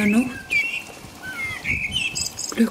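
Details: Common blackbird singing in the rain in the middle of the night, around 5 a.m., in England: fluty warbled phrases with a high twittering ending, and low voice-like sounds at the start and end.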